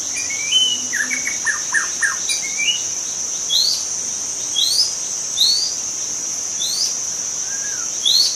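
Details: Wild forest white-rumped shama singing, used to lure other shamas: loud rising whistled upslurs repeated every second or so, after a short burst of stuttered descending notes, over a steady high insect drone.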